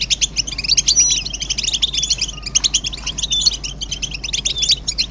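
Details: European goldfinch twittering used to stimulate silent males to sing; dense rapid chirps, trills and short whistles, many birds overlapping in a continuous chorus with faint music-like tones.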